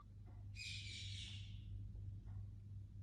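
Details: Indian ringneck parakeet giving a single harsh, buzzy screech lasting about a second, broad and noisy in tone, over a steady low electrical hum.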